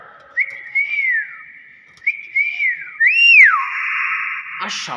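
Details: Hill myna mimicking with three loud slurred whistles. Each rises, then falls, and the last is strongest. A steady held tone follows, ending in a short noisy burst.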